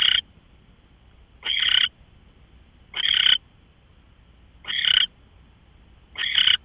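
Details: Owl recorded March 24, 2013, 5:27 AM, producing a series of five coarse, noisy screeches, each about a third of a second long, spaced one and a half seconds apart.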